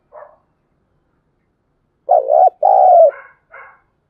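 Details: Two-part low coo from a spotted dove calling at early dawn in the thúc gù style, a wavering note then a longer even one, with brief higher chirps from another bird before and after.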